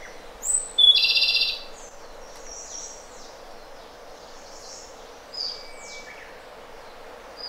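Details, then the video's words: Japanese robin, a small orange-breasted songbird of undergrowth, delivering a high whistled note and a quick dense trill, then fainter scattered high slurred notes and a later short burst, over constant background hiss. "Robin Japonês - Já ouviu o canto desse passarinho?"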